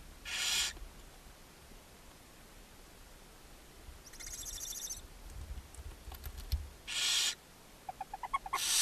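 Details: Inside a barn owl nest box on a chimney in Ságvár, Hungary, on May 4, 2024, a mother feeds her seven owlets: short breathy hisses, a softer rasping stretch, then a quick run of rising chirps at the end.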